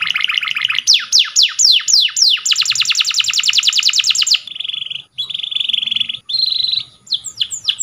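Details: Canary training song: a buzzy roll, a burst of quick descending whistles, a long fast even trill, then short flat whistled tones and a few sharp sweeps.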